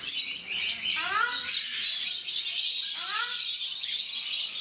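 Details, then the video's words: Ruddy shelducks (Brahminy ducks, Tadorna ferruginea) at Mysore Zoo, India, give two bursts of nasal honking calls, each a quick run of rising notes about two seconds apart, over steady hiss and faint background chatter. "Ruddy Shelducks / Brahminy Ducks Making Sounds"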